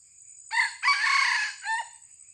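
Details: Young decoy junglefowl in training, recently recovered from illness after a leopard cat attack, gives a short three-part crow: a brief harsh opening note, a longer sustained rasping middle, and a fading final note. A steady high hiss runs throughout.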